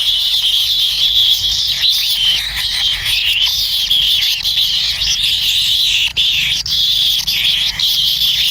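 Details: Kingfisher chicks inside the nest call impatiently while waiting to be fed by a parent. Their sound is an unbroken, high-pitched wheezy rasp, slightly wavering, with brief dips near the sixth second.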